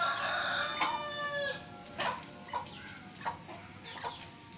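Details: Three roosters crow back and forth in answer to one another: one long, harmonic-rich crow followed by shorter answering calls.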